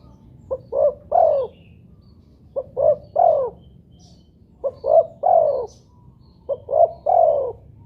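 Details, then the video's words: Tekukur, or spotted dove, calling as bait to make other doves sound off: four three-part phrases, two quick notes then a longer downslurred coo, roughly every two seconds, over soft low noise. "pancingan burung tekukur buat derkuku agar bunyi"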